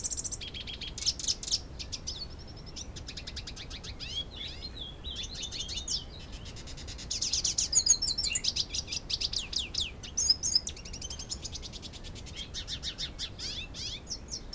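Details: A two-year-old captive-born male hooded siskin courting a female Belgian canary in Canoas, RS, sings a fast, continuous twittering song of high, tinkling notes and rapid trills, with brief pauses, over faint hiss.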